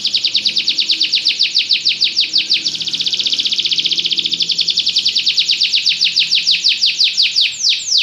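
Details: Belgian canary delivering a continuous fast trill of short, sharp descending notes for about eight seconds, its speed shifting slightly midway and spacing out near the end.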